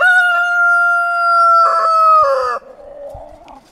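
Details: Young rooster crowing in front of hens: one long, loud, steady harmonic crow held for over two seconds, with a rough broken end, then quieter clucking and rustling.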